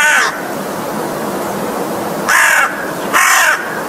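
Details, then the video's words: American crow giving one rough caw, falling quiet for about two seconds, then two more grating caws close together. "crow's song!!!"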